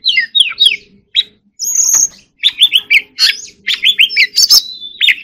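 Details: A caged white-rumped shama in contest song opens with chattering notes, holds a long high steady whistle, then bursts into rapid repeated slurred phrases and sharp clicks, with a faint background hum.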